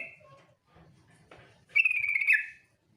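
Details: Female yellow-vented bulbul lure call in the ngetir style: faint trailing notes and soft hum, then one loud, dry, rapidly pulsed trill lasting under a second that falls slightly at its end.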